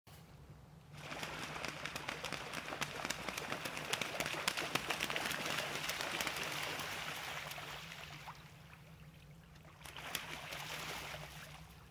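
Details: Splashing, trickling water over a steady low hum, with no clear animal call.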